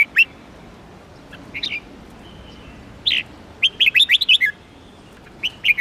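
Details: A red-whiskered bulbul sings melodiously, giving scattered chirps and then a fast, rolling phrase of about seven sweet whistled notes, with another phrase starting at the end.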